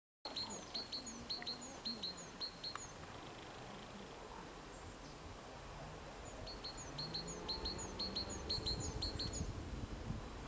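A great tit sings bright, ringing two-note phrases, repeated quickly in two bursts, over a steady low rumble of wind or distant traffic.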